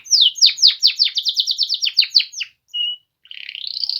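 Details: Singing male Polish canaries deliver a fast run of loud descending whistled notes, a brief pure tone, then a rising rapid trill.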